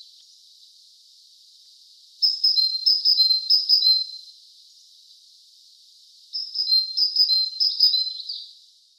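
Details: Great tit (Parus major) sings two short bouts of high, repeated two-note phrases separated by a few seconds, over a constant high, thin hiss running through the whole recording.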